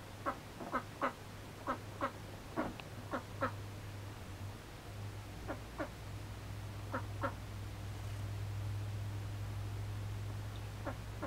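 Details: A tame male mallard being trained to perch on the hand gives short, raspy, nasal calls in loose bursts of two or three, with irregular pauses, over a steady low mechanical hum.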